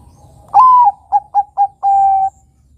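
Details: Zebra dove of the Bangkok type singing a lure song meant for young doves to imitate: a rising, then level mellow coo, three short clipped notes, and a long, steady closing coo, all low and clear over quiet background hum.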